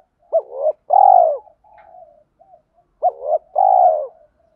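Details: Two cooing phrases from a spotted dove singing the thổ pha đồng style, kept to lure wild doves: each a clipped rising note, swelling note and long coo, with soft low murmured notes filling the gap.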